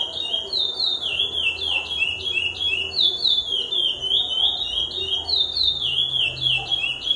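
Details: Lesser seed finch (curió) singing a continuous run of clear, downslurred whistled notes, about three to four per second, bright and ringing, with a faint low hum underneath.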